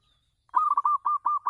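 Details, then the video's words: A local zebra dove, singing on a house terrace as a lure for other doves, gives one brief phrase of six or seven quick, mellow rolling coos. "perkutut lokal manggung di teras rumah bagus untuk pancingan"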